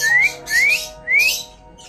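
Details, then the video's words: Caged pet Indian ringneck parrot while eating guava gives three short rising whistles, each slurred upward and spaced about half a second apart, with breathy noise around them. "Indian Ringneck Parrot Talking and Eating Guava"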